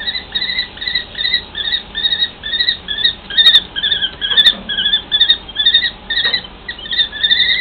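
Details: Common kestrel pair in a long conversation: a busy stream of shrill, clipped kee notes, roughly two per second, some overlapping as both birds call, with a few faint clicks.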